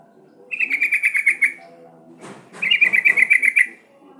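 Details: Sooty-headed bulbul song used as a lure to make other bulbuls sing: two bursts of a rapid, bubbly warbled trill of about ten mellow whistled notes each, separated by a rustling pause, over faint low background noise.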